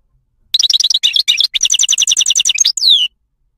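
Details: Moroccan wild goldfinch song: clipped high chirps build into a fast, even series of paired rattling notes, then a few sharp twitters and a final falling slurred note, all in one continuous three-second phrase.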